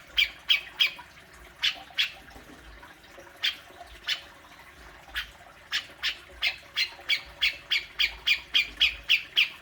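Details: Cucak jenggot (grey-cheeked bulbul) besetan used to provoke a pet bird. A few scattered, sharp, rasping notes give way to a steady, quickening series of harsh chips toward the end.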